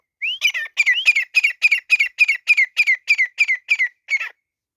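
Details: Grey francolin (teetar) recorded during a fight, giving a rapid run of about thirteen loud, ringing notes. Each note rises, then falls, and they repeat steadily about three times a second. No other sounds are heard.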